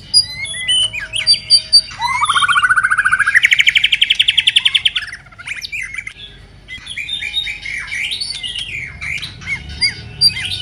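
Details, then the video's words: Moulting white-rumped shama: brief sharp whistles, then a long machine-gun trill of even pulses climbing gradually for three seconds in the pipe-tobacco style, followed by quieter varied warbling phrases. "Choè lửa đang xuống lông kéo thuốc Lào phê tít"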